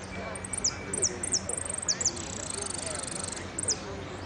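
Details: Singing-contest hooded siskin at Merlo delivering a string of sharp, high, downslurred chirps followed by a sustained rapid buzzy trill, then more chirps, over a low hum and murmur.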